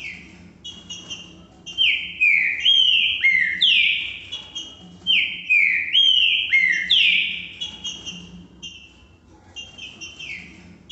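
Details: Green-winged saltator song of the "que que eu fiz" type: bright whistled phrases, each a run of descending slurred notes, building to loud repeated bursts about once a second, then fading softer toward the end; faint low background hum.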